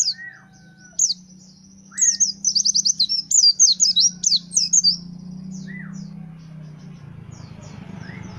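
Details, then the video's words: White-eye kept as a pleci fighter bird sings a fast, high twittering phrase of slurred warbled notes lasting about three seconds, framed by scattered single chirps and soft high ticks, with a constant low background hum. "The sound of the Gacor fighter pleci bird shooting"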